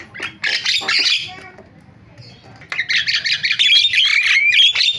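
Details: A starling gives harsh, chattering squawks and rapid whistled notes in two bursts with a brief quieter gap, a lure sound used to get silent starlings calling.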